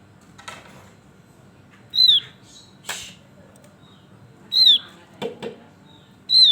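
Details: Lively male Javan grey-throated white-eye repeats a sharp, high whistle that falls at its end, three times in a few seconds, amid scattered rustles, clicks and faint chirps.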